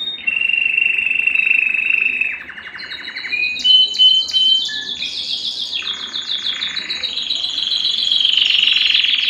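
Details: Canary song for breeding stimulation, a Belgian canary mentioned: lower sustained rolls, shifting into clicking chopped notes and high buzzy rapid trills changing pitch.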